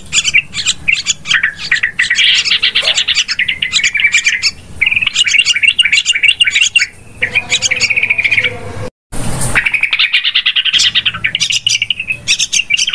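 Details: Noisy trapping lure of Yellow-vented bulbul: continuous excited chattering with buzzy trills and sharp tweets, one abrupt silent break near nine seconds before the lively chorus resumes.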